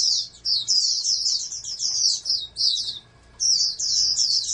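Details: Captive-bred oriental white-eye, raised as a national contest hopeful, sings high thin twittering phrases in rapid bursts, pausing briefly near the middle before resuming; a faint steady electrical hum sits underneath.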